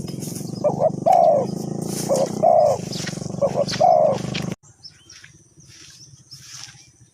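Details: Spotted dove calling as a trapping decoy, Ninh Thuận, Vietnam: three hoarse cooing phrases, each a short note then a longer one, under heavy low background noise, cut off abruptly, followed by quieter faint rustling sounds.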